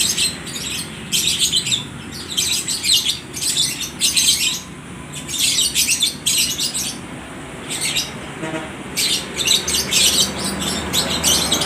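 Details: Lovebirds for sale at a bird market in Aceh Tamiang, calling back and forth to each other: bursts of shrill, high, scratchy chattering, each lasting about half a second to a second, repeated rapidly with short gaps, over a low background hum.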